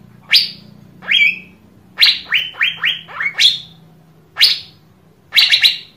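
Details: Asian fairy-bluebird song meant to set other birds singing: a lively series of crisp, sharply descending notes, some spaced, others in a quick run of five, ending in a rapid cluster, with a soft hum in the background.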